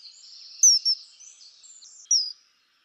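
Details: Common kingfisher calling with thin, shrill whistles falling in pitch, two close notes followed by a third a second later, over soft background hiss.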